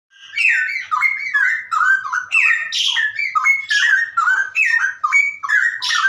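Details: Straw-headed bulbul (cucak rowo) singing in the rapid ropelan style, offered as a tutor recording: loud, rich, bubbling whistled phrases tumbling continuously, slurring up and down, about two notes per second, with no gaps and no other sounds.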